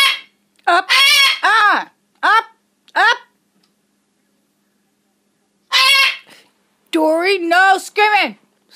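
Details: Pet talking macaw screaming indoors: loud, harsh calls with wavering, falling harmonics, some in quick runs of two or three, then a pause and another burst of rough, rising-and-falling shrieks.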